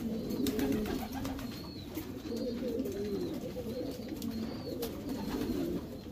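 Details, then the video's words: Racing Homer pigeons in their breeding section give low, wavering coos, joined by thin, higher chirps repeated roughly every second, with light clattering in the loft. "Racing Homer breeding section"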